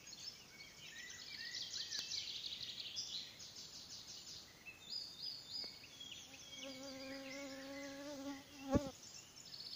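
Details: Icterine warbler (Hippolais icterina) singing at Salmentaka, Pälkäne, on 12 June 2017, pouring out a fast, varied jumble of high chirps, whistles and squeaky notes, then a fly's low droning buzz passes close by.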